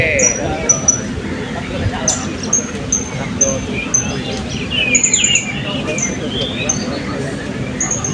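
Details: Blue-crowned hanging parrot at an open songbird sound and style competition in Balingian, 2024. Thin, very high squeaky notes repeat about twice a second, with a brief rapid trill midway. Other birds chirp and people murmur in the background.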